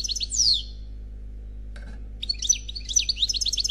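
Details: Khalwi-style song of an unpaired European goldfinch: a high swooping note, a pause, then quick tinkling twitters with a thin whistled tone, over a low steady hum.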